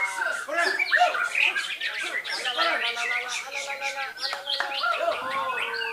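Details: Belitung Island white-rumped shama singing rapidly, mixing clear whistled notes with scratchy chirps and quick trills, phrases tumbling together without pause at a fairly steady volume.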